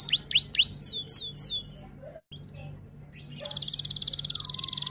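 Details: Singing F1 canary: a string of loud swooping whistles repeated quickly, a short gap, then a long even high trill building steadily in loudness; low electrical hum throughout.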